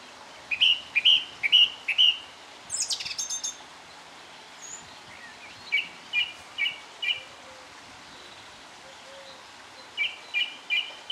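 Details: Song thrush singing at Cherry Hinton Hall on a dreary winter morning: short clear phrases of three or four sharp notes, each phrase repeated several times with pauses between, plus a brief high rattle early on.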